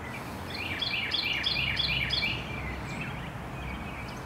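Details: Carolina wren in the late afternoon giving a quick series of bright repeated phrases for about two seconds, then only faint distant notes over steady background noise.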